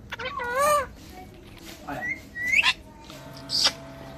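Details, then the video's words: Parrot kept as a talking bird: a loud harmonic wavering call, then two upward-sweeping whistles and a brief high squeak, with soft background noise. "parrot talk evrythig"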